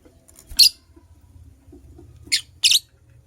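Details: Purple lovebird, a female busy making a nest indoors, gives three sharp, loud chirps: one short burst, then after a quiet pause two quick chirps close together, over faint low background rustling.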